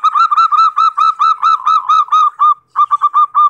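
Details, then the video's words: Zebra dove lure song used to attract wild birds: a fast run of short, bright, cooing notes, about five per second, with a brief pause before the series resumes. "SUARA PIKAT PERKUTUT"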